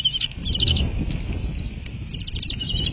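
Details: American bald eagle at its nest, picked up by a live nest camera on 22 March 2024 at 07:53: bursts of high, thin chittering notes in quick runs, two main bursts separated by a pause, over steady low wind rumble.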